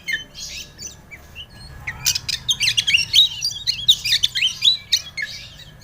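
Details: Oriental magpie-robin singing as a lure to make another bird sing: a quiet start, then a lively run of sharp chips, clicks and bright slurred whistles that builds and fades, over a low background hum.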